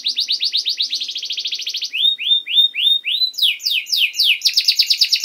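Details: ['Canary master song recorded to teach young birds, long and lively: a fast buzzy trill, then five rising whistled slurs spaced evenly, followed by high downswept notes and a rapid rattling tour.']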